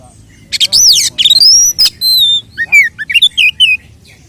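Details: Oriental magpie-robin fighting song in the 'tarung konslet' style, with 'nembak' shooting notes, used as a lure to raise other males' aggression; loud sweeping whistles rise and fall, then a run of short bright slurred notes.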